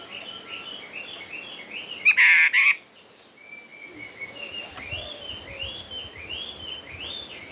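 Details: Chinese hwamei song in wild forest voice: a run of repeated short whistled notes, one loud harsh burst near two seconds, then a long series of rising-falling slurred whistles.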